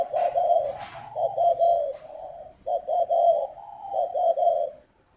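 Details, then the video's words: Caged spotted dove at a Ba Vì, Hanoi farm in northern Vietnam giving its 'khách'-style coo: mellow, low rolling phrases of quick connected notes, a short gap, then a longer broken coo ending in silence. "chim cu gáy KHÁCH hay miền bắc"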